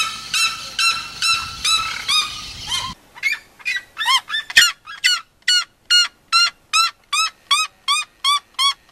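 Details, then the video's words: Red-legged seriema giving loud yelping song: a dense overlapping burst of shrill harmonic yelps, then a clear series of rising, sharp yelping notes repeated about twice per second, growing louder toward the middle. "O canto da Seriema do Mato Grosso"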